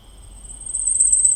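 Blackpoll Warbler song: an extremely high, thin, insect-like sizzle that steadily swells in loudness over about a second, over a faint low rumble.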